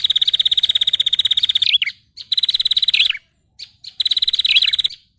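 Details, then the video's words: Prinia lure call for catching birds: three rapid, high, machine-like trills, each ending in a quick falling twist, with a short pause and a few single chips between them. "SUARA PIKAT SEMUA JENIS BURUNG PRENJAK"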